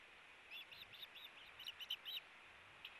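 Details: Ospreys tugging at a fish on the nest, nest camera, 8-4-18: a quieter series of about eight thin, high whistled chirps, the last few slightly louder, against steady background hiss.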